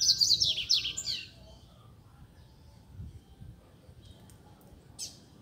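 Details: Free-living double-collared seedeater in a neighbourhood, singing a rapid, high twittering phrase of about one second, then near silence with faint distant chirps and low background rumble.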